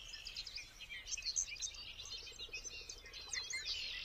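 A Bobolink sings a rapid, bubbling jumble of tinkling, metallic notes that tumble up and down without pause, over a faint steady background hiss.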